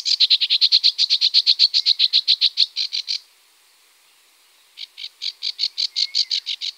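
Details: Great crested grebe with chicks at the Tovačov fishponds, Czech Republic, 2013–2014, giving fast, high, piping notes, about eight a second, in two bursts split by a brief pause.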